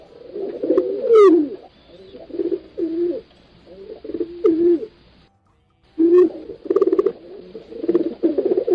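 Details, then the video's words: Pigeons cooing together: low, throaty, overlapping coos rolling on almost continuously, with a short wavering squeal near one second, brief clicking bursts, and a pause of nearly a second before the chorus resumes. "Tiếng Chim Bồ Câu Hót"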